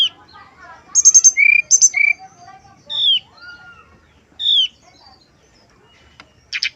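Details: Male brown-chested jungle flycatcher in nyuling, flute-like style, used as a lure to draw answers from other males: high fluttering trills, then clear downslurred whistles and a low rising whistle, separated by short pauses, ending in a buzzy burst.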